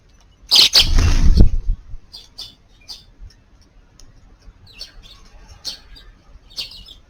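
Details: Eurasian tree sparrows under a garden's eaves at midday on New Year's Eve, 31 December, give short, high chirps singly and irregularly, about one or two a second, after a loud, low rumbling thump at the start.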